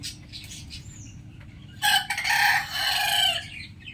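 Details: Rooster crowing in the morning: faint chirps of other birds, then a loud, harsh, harmonic crow of about one and a half seconds in two connected parts, fading at the end.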